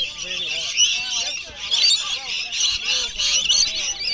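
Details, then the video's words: Wild rainbow lorikeets at Bungalow Bay, Magnetic Island, very loud while being fed by people at the end of a wildlife tour on 26 December 2013: a dense, continuous wall of shrill screeching chatter, with voices underneath. "Feeding Rainbow Lorikeets."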